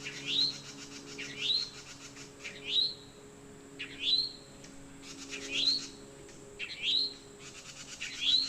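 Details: Towhee mating call with other birds joining in: seven sweet, upward-sliding notes spaced about a second and a quarter apart, alongside rapid ticking trills from a second bird.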